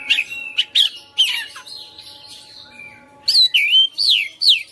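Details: White-rumped shama, a caged fighter bird, singing bright looping whistles and clicks, then a softer scratchy passage, ending with a series of loud rising-and-falling whistled notes.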